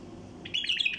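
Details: A wild bulbul's flight call, used to bring down travelling bulbul flocks: a short, hurried burst of buzzy, chirping notes starting halfway through, loud against soft background hum.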